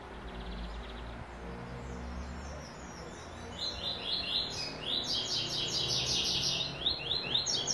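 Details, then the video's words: Classic tuí tuí zel zel song with third note from a white-throated seedeater. Faint high notes open it, then a bright series of rapid, buzzy, descending-slurred phrases builds and continues to the end. "COLEIRO BRANQUINHO CANTO TUÍ TUÍ ZEL ZEL CLÁSSICO 3ª NOTA"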